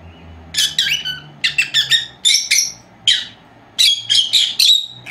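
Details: Two young female lovebirds, four months old, kept at home and napping, producing rapid clusters of high squeaky chirps and squawks, several notes per burst, with a faint low hum in the room.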